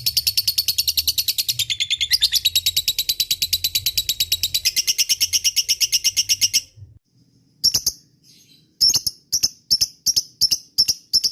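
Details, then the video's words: Lovebird lure call meant to make other lovebirds respond with long chattering (ngekek): a long, rapid, buzzy high trill for almost seven seconds, then a pause and a series of sharp paired chirps. "pancingan lovebird ini bikin semua burung lb diam langsung nyaut ikut ngekek"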